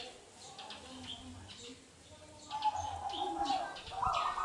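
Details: Local wild zebra dove from Indonesia, a lure song for prompting other doves to sing: a soft, rapid run of cooing notes in the second half, over busy high chirping of other birds and a low rhythmic hum.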